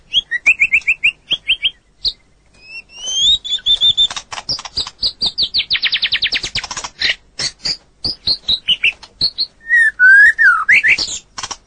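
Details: Long-duration training song of a white-rumped shama, used to tutor other birds: rapid varied phrases of whistles, buzzy trills and sharp clicks, shifting from clear notes to dense rattling bursts and rising slurred whistles.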